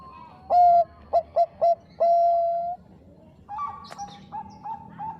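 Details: Bangkok-type zebra dove singing to provoke rivals; a strong drawn coo, three crisp short notes and another long coo, then softer, higher cooing notes trailing off.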